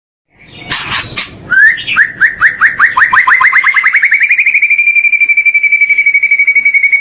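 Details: Master track for training a caged white-rumped shama: a few harsh notes, then a series of quick rising notes that speed up and merge into a long, steady whistled tone.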